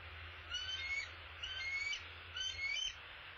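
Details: Three soft, thin, squealing calls about a second apart from a male bald eagle arriving at the nest with an opossum, with low background hum.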